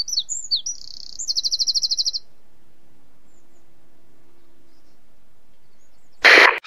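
A Eurasian wren gives a short, very high burst of sharp notes and a fast trill of about ten pulses, then silence and a brief rough noise.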